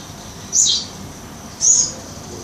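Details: Eurasian tree sparrow kept as a master bird for training songbirds, giving two short high chirps about a second apart against steady background hiss.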